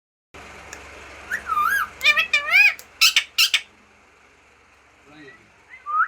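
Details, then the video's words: Green parrot, a talking bird, giving a burst of rising and falling whistled squawks around the middle, then a quiet stretch with a couple of short soft calls near the end; steady low background hum throughout. "#talking parrot #birds voice #tota"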